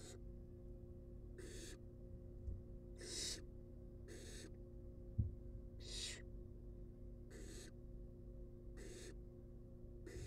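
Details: Wild baby barn owls begging at feeding time inside a nest box, a run of eight short breathy hissing screeches at uneven intervals, one soft knock midway, low droning hum throughout.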